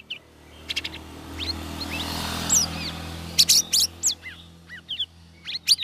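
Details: Caged lesser green leafbird in its third week of ombyokan group training, singing in the ngeriwik ngeplong style: scattered sharp high chirps and short upward-sweeping whistles, busier toward the end, over a low steady hum.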